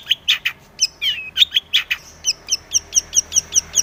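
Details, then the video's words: Long-tailed shrike song used to prompt other shrikes to sing: a rapid series of sharp, high chirps, first scratchy mid-pitched notes, then a steady run of bright upper notes repeated about four times per second. "SUARA BURUNG cendet gacor SEKETIKA pancingan cendet agar bunyi PENTET"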